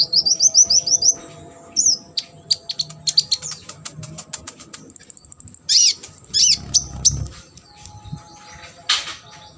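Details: Sunbird training song for competition birds: rapid high trilled phrases open, followed by sharp thin chirps, a sustained high buzzy note and swooping whistles, with faint low rumbling underneath.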